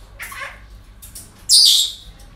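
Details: Parrots at a breeding centre: a softer hoarse call first, then a loud, harsh, rasping screech about a second later, over a low steady background hum.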